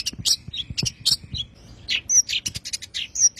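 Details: Long-tailed shrike singing the tembakan style, recorded for training songbirds. It gives a fast, varied string of high, scratchy chirps and sharp whistled notes in quick bursts.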